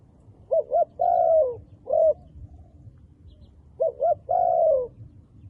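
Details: Wild dove with black feathers repeating its coo: paired short notes, a long descending hoot and a brief single note. After a pause the pattern returns, over a quiet low background.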